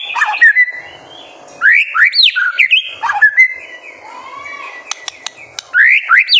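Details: Full-voiced White-rumped shama song used as a tutor recording for young birds: clear slurred whistles and quick rising and falling notes in separate bursts, with brief clicks during a softer middle stretch.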